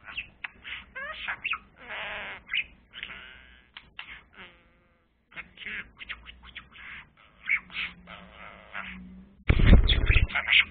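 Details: Budgerigar playing with a blue pen, chattering in fast scratchy bursts and clicks with a few sweeping whistled notes, a short silence midway, then a loud rough noise at the end.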